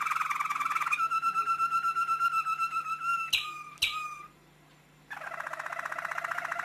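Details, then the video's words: Lemon canary song made of fast, even trills: a steady rolling buzz held for several seconds, broken by two sharp clicks and a brief silence, then another rapid pulsed trill at a lower pitch. "تغريد مميز من كنار ليموني"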